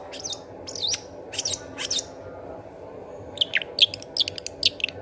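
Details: Long-tailed shrike singing as a decoy for shrikes that have gone quiet: scratchy, harsh phrases spaced about half a second apart, a brief pause, then a quicker run of sharp, high chirps.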